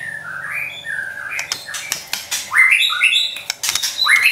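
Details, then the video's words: White-rumped shama song used as a master recording to provoke and train a pet bird: clear rising and falling whistles around mid pitch, then sharp upward-sweeping notes, with clicks and a steady low hum behind. "MASTERAN Trotol Murai Juara & Pancingan Ampuh Bikin Cepat Emosi & Tambah Gacor #SHAMA #SINGING"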